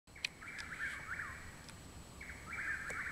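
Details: Chuck-will's-widow singing at night behind a home in Parkersburg, West Virginia, 21 June 2019; two full phrases, each a short note and then a rapid, slurred, whistled run, against steady background hiss.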